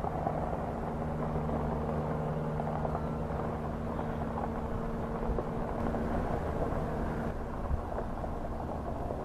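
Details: Steady mechanical hum like a distant engine or aircraft, with faint ticks and no animal calls.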